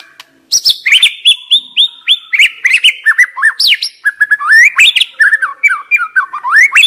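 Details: Loud, varied white-rumped shama song, used to prompt stressed young forest shamas to sing. It opens with sharp high notes, then pours out a steady stream of whistled slurs, rising and falling, with barely a pause.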